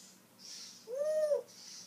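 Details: Pet African grey parrot known for talking gives a single smooth, low hooting whistle, steady in pitch for about half a second, with faint hissing chirps around it.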